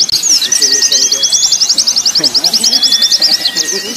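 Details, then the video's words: Zosterops white-eye training song for contest birds, a rapid run of evenly repeated high notes about three per second, delivered as a fast rattling trill over continuous twittering, with a faint steady whistle below. "Terapi pleci + simulasi lomba burung pleci untuk melatih mental pleci"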